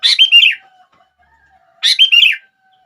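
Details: Two short sooty-headed bulbul phrases, each a sharp note followed by a warbled, slightly falling chirp, meant to stir other bulbuls into song; a faint low tone lingers between phrases.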